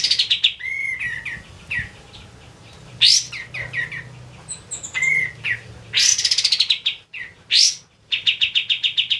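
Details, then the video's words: Kapas tembak white-eye in lively song for use in training other birds: high squeaky chirps and loud sweeping whistles mixed with short notes, ending in a quick rattling series of evenly repeated high notes. "KAPAS TEMBAK GACOR DOR"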